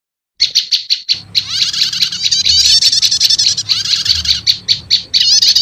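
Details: Prinia lure recording, prenjak lumut combined with prenjak setater, used to quickly call in wild prinias: after a brief silence, rapid high chirps begin, then dense overlapping twittering trills run almost without pause, with a faint low hum beneath.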